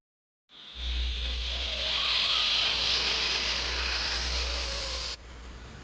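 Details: After a brief silence, a loud hissing whoosh like a passing car sweeps through over a low steady hum, then cuts off sharply near the end, with no animal voice.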